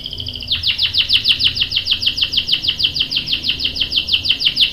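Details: Canary in full rolling song, with a young male answering: a fast, even series of bright downward-sweeping whistled notes, about three per second, after a short high buzzy trill at the start.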